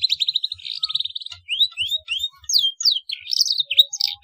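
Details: Black-throated canary song used to teach young canaries: a fast, even trill of high notes opens, followed by varied looping whistles that rise and fall in quick, continuous phrases.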